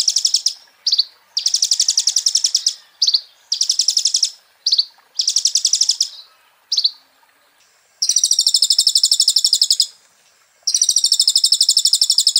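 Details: Master song of a kolibri ninja sunbird: a series of short high buzzy trills and clipped notes, then two long steady rattling trills separated by a pause.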